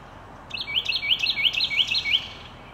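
A Carolina wren sings a quick, loud run of about six rising, rolling whistled phrases in under two seconds, over faint background hiss.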